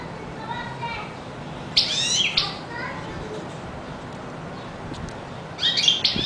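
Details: European goldfinch song in quick, high twittering phrases, with a faint lower warble early on and a pause before a final bright burst.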